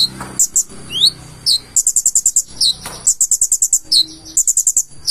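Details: Purple-throated sunbird delivering a busy high song: upslurred whistles, sharp chips and runs of seven or eight evenly spaced ticking notes, phrase after phrase.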